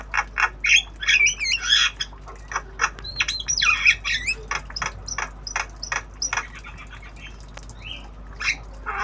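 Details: Tame black-winged starling (jalak kebo) in obyogan practice, learning sounds: a lively stream of sharp clicks, squawky bursts and twisting whistled phrases, repeated rapidly throughout.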